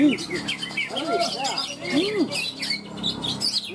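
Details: Greater green leafbird (cucak ijo) competing in a bird-song contest in Malinau, North Kalimantan, Indonesia: arched low whistles repeated with bright high chirps and twitters overlapping from other contest birds.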